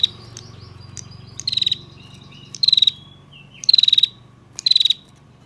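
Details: Female bar-winged prinia giving its trilling lure call for males. Four rapid, buzzy high trills sound about once a second, each lasting around a quarter of a second, over a low background hum.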